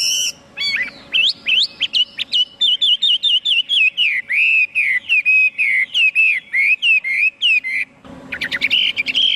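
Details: Chinese hwamei pouring out a rapid stream of ringing, wavering whistled notes, many in quick succession, closing with a burst of harsh layered high notes over a soft background hum.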